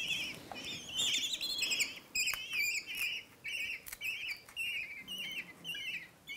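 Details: Young common kestrels being fed in rehabilitation care before going back to a wild nest with their kestrel family: thin, trilling squeals repeated about twice a second, with soft rustling.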